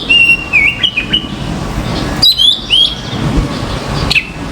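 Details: Common myna on a balcony gives a string of whistled, wavering notes, then two rising slurred whistles after a pause and a final short chirp, with steady low background noise.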